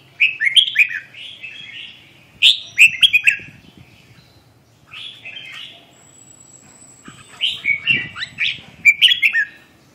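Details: Red-whiskered bulbul, described as phong sơn, mí đỏ, rơm tê giác, sings siêu ché style with rapid chattering strings of slurred, whistled notes in several bursts separated by short pauses. A thin high whine sounds briefly midway.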